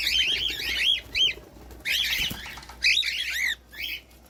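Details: Cockatiel song used to coax a pet bird into singing: loud groups of sharp, arching chirps with rising and falling notes, separated by short gaps, over a low steady hum.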